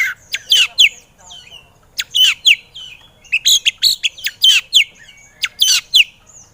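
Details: White-rumped shama training song for birds that are slow to sing: sharp rapid chips and harsh notes mixed with short whistled slurs, delivered in quick clusters with brief silences.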